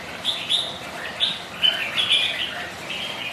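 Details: On a wet, windy day, kept red-whiskered bulbuls compete in song, giving clear whistled chirps and brief warbles that follow closely on one another against rain noise.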